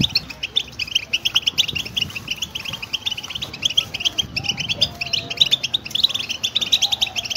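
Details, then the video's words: Goldfinch singing, a recording meant to prompt another goldfinch into song: fast, bright twitters and clipped chirps pour out without pause, with brief faint low tonal sounds mid-way and light background noise. "Saka kuşu huylandırma, saka kuşunu ötüme teşvik etme, поощрять щегла петь"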